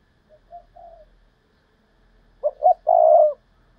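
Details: Decoy spotted dove: soft quiet notes, then a full Thúc Lợi Cốt phrase of two short notes and a long throaty coo, with a faint low rumble in the background.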